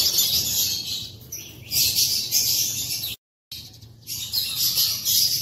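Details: Morning chorus of shrill, squeaky chirps and rapid chatter from caged African lovebirds perched in an aviary, several birds calling at once, the sound cutting out briefly partway through before the busy high-pitched chatter resumes.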